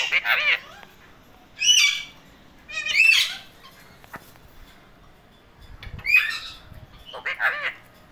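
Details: Parrots calling in loud, harsh, hoarse squawking bursts, five bouts in about eight seconds spaced one to two seconds apart, with quiet gaps between.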